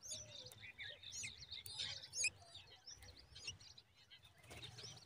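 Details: Two common babblers together chatter in a quick overlapping jumble of high squeaky chirps and trills, with soft fluttering or rustling and a low background hum.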